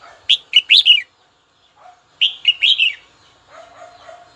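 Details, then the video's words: Red-whiskered bulbul calling a rival: two quick warbling phrases of four or five chirpy notes about two seconds apart, with faint lower twittering between and toward the end. "Chào mào gọi bổi tố chất nhất"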